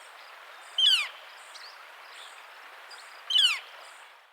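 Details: Northern Flicker giving two loud, sharp, downslurred single-note calls, used to identify individuals and communicate with other flickers, about two and a half seconds apart, over a steady background hiss.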